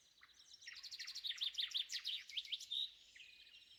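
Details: Shrike calling at sunrise on a spring morning in woodland at Spivaki, with a nightingale and other birds behind; a rapid run of sharp, high, zigzagging notes repeated about three times a second, swelling then fading, over faint wind.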